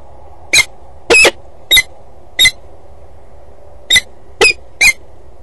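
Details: Female peregrine falcon at a water tower nest box at 07:32 on 8 September 2012, becoming vocal, gives seven harsh, rasping notes, each a short burst, at uneven intervals over five seconds, over a low steady hum.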